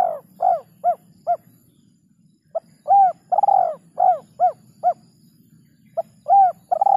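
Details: Spotted dove giving the lure call with the rarely heard kuk 2 and kuk 3 endings: busy bursts of mellow coos, long drawn notes followed by two or three short clipped kuk notes, over a low hum.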